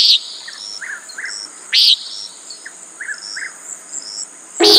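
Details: Common nighthawk calling a clipped, buzzy peent three times, roughly every two seconds, above a constant high-pitched insect hum and scattered soft chirping notes.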